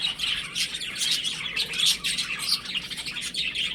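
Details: Several baby chicks at home keep up a continuous, shrill peeping, short high notes tumbling over one another with no pause.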